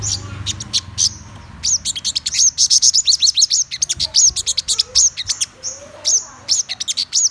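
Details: Thin, rapid twitter from a black-throated sunbird: a few separate high notes, then a dense burst of sharp chirps and squeaky upslurs, easing back to scattered single notes at the end.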